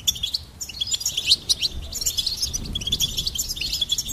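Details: Goldfinch singing: a fast, tinkling twitter of high, bright notes runs almost continuously after a brief pause near the start, with a faint low rumble underneath.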